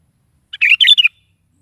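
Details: Sooty-headed bulbul song played in the morning to make a pet bulbul answer and sing: a short burst of bright, bubbly chirped notes, three quick phrases in under a second, otherwise silent.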